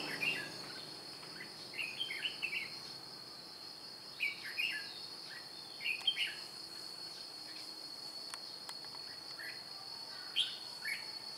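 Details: Decoy red-whiskered bulbul at a trap, recorded 2 July 2018, singing lively chirpy whistled phrases in bursts every one to two seconds, with a constant shrill insect buzz behind.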